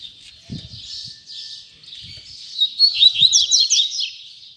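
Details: Double-collared seedeater in the tui tui zel zel style: hoarse buzzy high notes at first, building into a loud rapid series of sharp slurred chips, with a few low soft thumps in the background.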